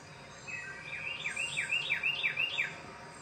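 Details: A wren feeding and singing in a backyard bird sanctuary, Macon-Bibb County, Georgia, delivers a rolling run of about seven loud, sharply down-slurred whistled notes, rapidly repeated, rising in volume over steady low background noise.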